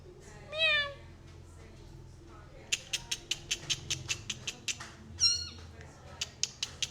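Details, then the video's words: A tame 2-year-old male plum-headed parakeet talks, speaking two short, harmonic-rich, whistly word-like phrases in Urdu/Hindi, with a run of sharp clicking taps between them. "Talking Plum Headed Parrot"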